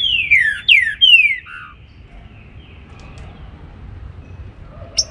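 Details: Green-winged saltator in morning song, opening with three strong descending whistles run close together, then a brief lower note and near quiet with one sharp high chip at the end.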